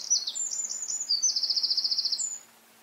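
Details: High, energetic song of a Eurasian wren: quick sharp notes running into a long rattling trill of evenly repeated pulses, ending abruptly after about two and a half seconds.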